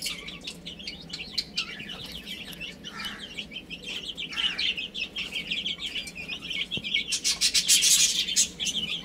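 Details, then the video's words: Baby chicks at play and feeding, a continuous high peeping chorus of short chirps, turning into rapid scratchy tapping near the end as they peck. "Adorable Little Chicks Chirping Sounds"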